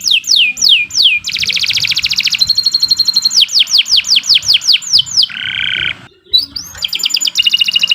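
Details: Canary (kenari) song meant as a training master for birds: repeated sharp downward-sweeping whistles, a fast buzzy trill, a lower harsh rasping note, then more rapid trilling.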